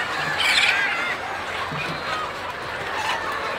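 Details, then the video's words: Thousands of farm chickens and roosters rushing out to be fed, giving a loud massed din of clucking and cackling, with one sharp high squawk standing out early over the crowd noise. "Nearly 30 Thousand Chickens and Roosters All at Once out for feeding"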